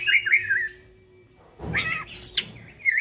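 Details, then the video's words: Greater green leafbird at night, giving a burst of varied warbled whistles, a pause, then sharp chattering notes and a few clear whistled phrases; a steady low hum runs beneath. "burung cucak ijo bunyi tengah MALAM GACOR"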